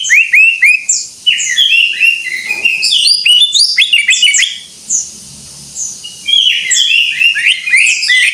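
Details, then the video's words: Cucak ijo (greater green leafbird) in full gacor voice: loud repeated downslurred whistles, fast chattering runs, a brief pause with thin high notes, then renewed energetic warbling. "Suara Burung Cucak IJO FULL Gacor"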